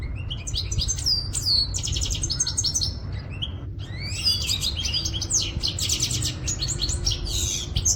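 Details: Quetta goldfinch song: fast tinkling twitters, rapid stacked trills and rising whistled slurs pouring out almost continuously, broken by one short pause, with low background hum throughout.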